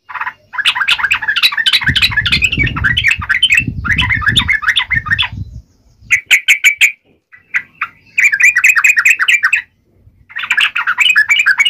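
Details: Yellow-vented bulbul singing a forest-style fighting song, 'tarung ngalas uplik ropel', used to get other bulbuls to respond: dense scratchy chatter in long bursts, a low rumbling noise under the first half, then shorter jerky phrases.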